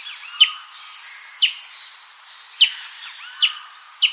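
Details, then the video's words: Brazilian tanager giving short, sharp, downward-sweeping notes about once a second, over a steady high insect-like whine and faint background chirps. "CANTO DO TIÊ SANGUE"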